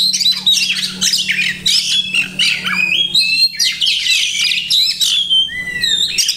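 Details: Continuous song of an Oriental magpie-robin packed with imitated phrases: tumbling chatter, clear rising and falling whistles and slurred notes, with a constant low hum behind.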